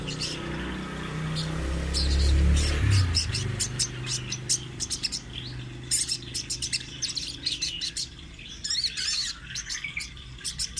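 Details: Rolling sunbird song used as a training master: clusters of quick, piercing high chirps repeated several times a second, with a low droning hum strongest at the start.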